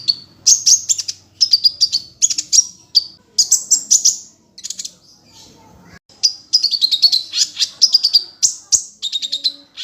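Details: Kolibri ninja sunbird, a small glossy black bird with reddish-gold head, giving a training song used to get other sunbirds singing: dense runs of thin, high twitters and sharp chirps in bursts about a second long, briefly pausing midway.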